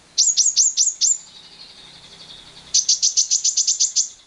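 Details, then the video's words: Lovebird used as a lure to stimulate other lovebirds' long ngekek trill, with wild birds present: rapid series of sharp, high, down-slurred chirps, five at first, then after a pause a longer run of about a dozen. "Pancingan JITU Lovebird Bisa Ngekek panjang"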